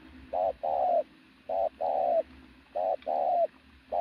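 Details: Loud coos from a muscular decoy pigeon, short-long paired phrases repeated about every 1.2 seconds, the longer note sliding slightly downward, four phrases in all.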